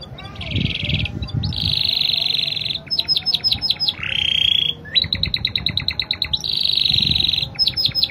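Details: Spanish Timbrado canary singing actively in a Spanish-style rhythm, a clear tutor voice: sustained metallic trills near high pitch alternate with rapid clicking rattles and a falling slurred note, phrases switching every second or so.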